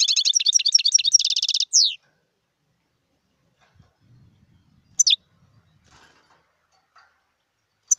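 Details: Song of a wild European goldfinch: a dense, tinkling twitter of high notes ending in a descending slurred note. A long quiet stretch follows, broken by two sharp, high call notes.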